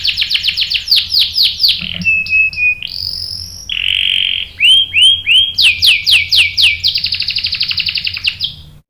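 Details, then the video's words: Canary song triggered by a female bait, very varied: quick falling notes, a pure whistled tone, a buzzy block, sweeping downslurs and a long fast trill. "PANCINGAN KENARI GACOR bikin EMOSI jadi NYAUT GACOR NGEROL | CANARY SINGING"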